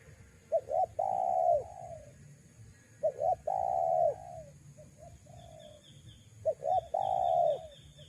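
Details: Spotted dove coo for luring wild doves, three phrases of two short notes and a long falling coo roughly every three seconds, softer coos between and a thin high trill from another bird.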